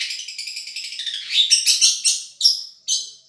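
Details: Madura long-tailed shrike tutoring song from a champion singer: dense high trills and chatters followed by loud, spaced, sharp harsh notes about every half second, fading at the end.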